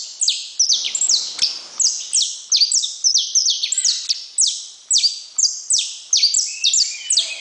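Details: Steady saffron finch song: sharp, high notes falling in pitch, repeated in quick bursts of two to four, with one short thump early on and otherwise a quiet background.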